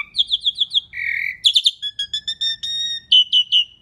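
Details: Asian pied starling singing loudly, a recording meant as a lure for other birds: rapid repeated whistled notes, a long buzzy note, then varied sharp chirps and steady pure whistles in a lively, clear sequence.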